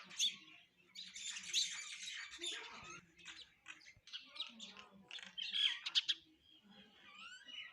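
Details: Sparrows feeding and chirping: clusters of bright, high chirps and harsher squeaks come in busy bursts, broken by short quieter spells with a low murmur underneath.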